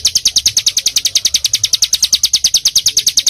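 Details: Small songbird singing dense training material with full bursts, for teaching caged birds: a fast series of sharp, high chirped notes repeated about three times per second, steady throughout, with faint low hum beneath.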